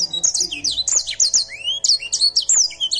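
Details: Edel Sanger canary in vigorous song: quick high twittering notes, sharp chirps and a rising slurred whistle, delivered in a tight, rapid stream.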